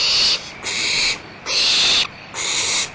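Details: Barn owls at Audubon Starr Ranch Sanctuary give harsh, breathy hisses: four rasping bursts of about half a second each in steady succession with brief gaps.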